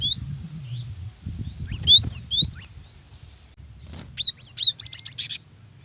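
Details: A female cinereous tit calls to attract a male, giving a loose series of rising and falling slurred whistles over low background rumble, then a quick string of rapid high chirps.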